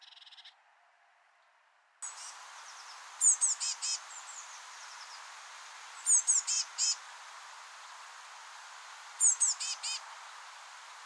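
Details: Eurasian blue tit fledglings just leaving their nest in a rowan tree give bursts of four or five high, thin chirps about every three seconds while being fed, over a steady outdoor hiss.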